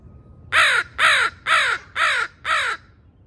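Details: Wild crow from a territorial family pair growing used to a camera, giving five loud, harsh caws, each about a third of a second long and spaced evenly half a second apart, with quiet background.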